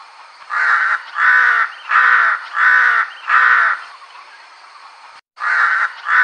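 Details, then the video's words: Hunting lure crow call meant to bring crows near: a run of five loud, raspy caws spaced evenly about every 0.7 seconds, a brief pause, then two more caws. "UWAK BLACK CROW BIRD / RAVEN CALL SOUND PARA LUMAPIT"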